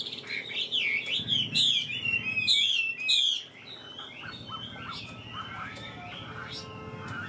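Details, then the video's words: Chinese hwamei praised for singing well: loud wavering whistled phrases and fast stuttering notes for about three seconds, then quieter, softer calls while a low rumble continues. "Ngũ trường bộ to, hót tốt, bóng bộ cực đẹp | Họat Họa Mi"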